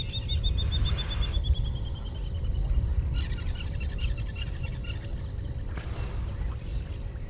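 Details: Water Thick-knee near water's edge in the southern African bush gives a run of thin piping whistles that slowly fall in pitch and fade, over a low rumble with frogs chattering later.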